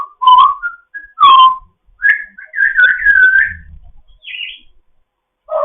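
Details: An African grey parrot in foster care making loud whistled chatter in the morning: strong falling whistles, a busy warbled phrase, a raspy high squeak, and a final low slur.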